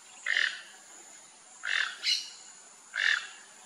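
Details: Rufous-tailed jacamar giving short, sharp, slightly squeaky notes, three spaced about 1.3 seconds apart, with a brief higher note just after the second one; faint steady high hiss in the background.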